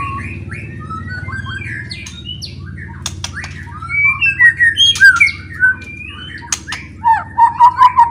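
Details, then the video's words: Loud white-rumped shama song aimed at provoking rival shamas: scattered chirps and squawky phrases with sharp clicks, ending in a quick rippling trill, over a steady low hum. "KICAUAN NYA LANTANG,,PASTI LANGSUNG FIGHTER BONGKAR ISIAN"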